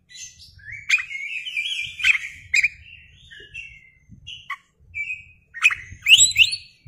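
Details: {'text': 'Kacer, Oriental magpie-robin, singing hard and fanning its tail, lure recording: a long modulated whistle with clicks, scattered short notes and pauses, then a quick burst of rising high whistles.'}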